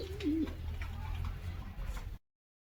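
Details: Local fancy pigeon indoors, one short low rolling coo at the start followed by a steady low rumbling hum and faint rustle before the sound cuts off.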